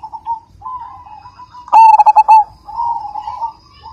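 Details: Loud, persistent zebra dove of the Majapahit type: gentle level cooing, a sudden short volley of rapid ringing, clipped notes, then a return to soft wavering coos.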